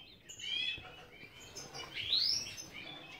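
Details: A captive-bred European goldfinch (Carduelis carduelis major) from Ioannina, Greece sings rapid, high, tinkling twitters, ending in a bright rising sweep, over a faint background hiss.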